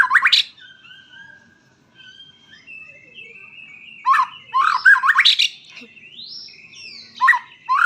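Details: White-rumped shama singing: an opening loud upswept phrase, long soft whistled notes, then bursts of sharp rising notes and high sliding whistles.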